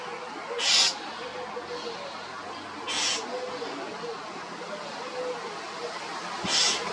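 A common starling gives three loud, harsh, hissing screeches spaced two to three seconds apart over a steady background hum.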